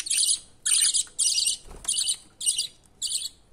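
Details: A budgerigar chick climbing up to be fed by its father gives insistent, harsh, high, buzzy rasping bursts about twice a second, with little else in the background.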